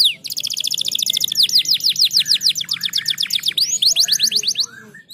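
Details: Canary song meant to encourage lazy canaries to sing: rapid high trills of repeated notes alternating with series of curved descending whistles, continuous and loud throughout.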